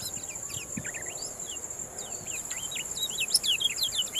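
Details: Yellow-rumped munia song, kept as tutoring material for contest birds: rapid chains of short, sharp, slurred chirps that rise and fall, dense and uneven, over a steady high insect-like whine and faint background noise.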